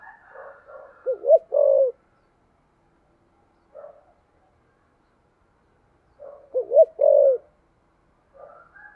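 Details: Spotted dove, 'thổ sấm' voice, repeating its coo twice about five seconds apart: soft murmurs lead into quick looping hoots and a sustained low coo, with faint notes between phrases.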